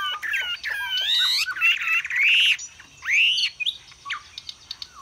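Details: Chinese hwamei kept as a cage bird in Vietnam, displaying and singing loudly: rich slurred whistles rising and falling, a rasping buzzy phrase, then a clear upswept whistle and scattered short notes.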